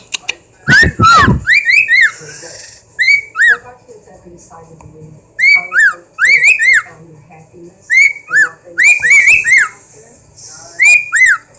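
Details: A pet bird gives clear, repeated two-note wolf whistles, each a rising note then a falling one, in quick bursts, among other odd noises, with a brief clatter near the start.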